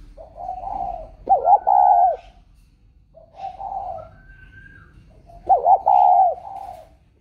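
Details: Spotted dove, newly bought and shut in a box, still calling as usual: soft low coos followed by a louder, wavering, throaty phrase, the pattern given twice about four seconds apart in a quiet indoor space.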